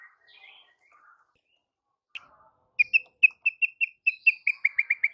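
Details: White-rumped shama (murai batu) used as a lure so other shamas keep singing: a few soft warbled notes, then a crisp, quickening string of repeated whistled notes that speeds into a rapid rattle at the end.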